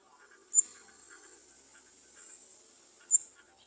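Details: At a nest, adult garden sunbirds try to feed their young, which beg with a thin, very high, sustained hiss broken by two sharp, loud bursts about two and a half seconds apart; fainter, softer chips sound lower.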